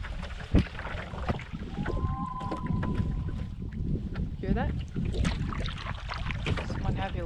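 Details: Common Loon on a Lake Superior Provincial Park backcountry lake, where loons seem unhappy with an eagle overhead, gives a long, steady, mournful note, then brief wavering calls, under heavy wind rumble and a person talking.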